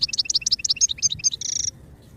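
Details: Short goldfinch song phrase for song development, a brisk series of evenly spaced paired chirps, about ten per second, closing with a brief buzzy trill before falling quiet.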